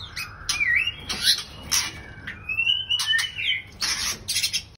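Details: White-rumped shama breeding pair in captivity: sharp clicks and short chirps, then a long smooth whistled phrase wavering around mid pitch, followed by bursts of harsh rasping notes.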